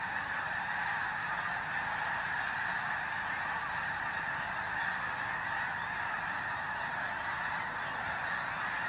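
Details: A huge flock of snow geese joins others resting overnight at Bosque del Apache, San Antonio, New Mexico, before the morning flyout on a freezing cold pre-dawn; a loud, unbroken chorus of many honks, recorded by phone.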